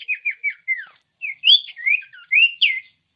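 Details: Common iora whistling to rouse reluctant ioras: four short descending whistles in even rhythm, then a tumbling mix of rising and falling slurred notes.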